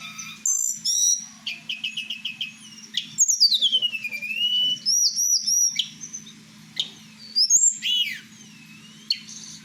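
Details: Night-time song of a kept blue flycatcher (tledekan Merapi): repeated clipped notes, then long looping whistles that fall and rise, with scattered sharp chips. A low steady hum runs underneath.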